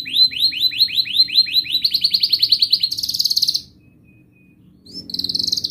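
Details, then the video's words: Canary in long gacor song, used as a lure for young and silent canaries. Evenly spaced rising chips speed into a buzzy trill, stop for about a second of quiet, then the trill resumes. "Kenari GACOR Panjang Ngelagu"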